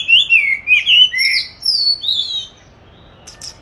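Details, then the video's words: Caged oriental magpie-robin, kept since 29 July 2020 and hung for song practice on 22 March 2021, delivers a short burst of loud, looping whistled notes that drop in pitch and then trail off into quiet. "con than chuyền nuôi 29-7-2020(clip quay 22-3-2021) treo chỗ lý tưởng luyện hót"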